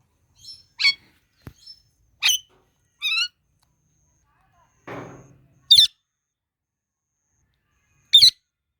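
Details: Parrots eating mango make short, raspy squawks and buzzy, stacked chirps at uneven intervals. Two sharp, piercing shrieks stand out, with a low rustling scrape in between.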